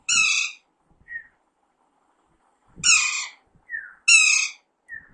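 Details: Hand-raised young pet Alexandrine parakeet: three loud, rasping, nasal squawks, each followed by a short, thin squeak, in a quiet room.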